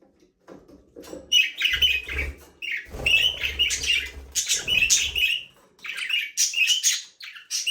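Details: Budgerigars, Australian parrots, in a small aviary, playing and flying free, give busy overlapping chirps and warbles centred high, in bursts of a second or two with short pauses, plus low thumps of movement.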